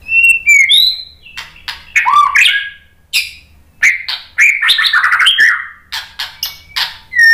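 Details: White-rumped shama (murai batu) song for luring birds to reply and sing: varied phrases of clear whistles, harsh buzzy bursts and quick chirps, delivered in short, energetic outbursts separated by brief gaps.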